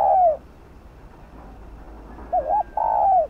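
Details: Spotted dove song used as a lure for other doves: the end of one falling coo, a pause, then a full phrase of a wavy double note and a long, drawn-out descending coo.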